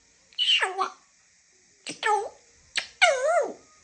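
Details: Talking African grey parrot indoors producing three speech-like bursts, each a sharp onset sliding down into a rich, wavering, nasal tone, the last longest with a rise and dip, separated by short pauses.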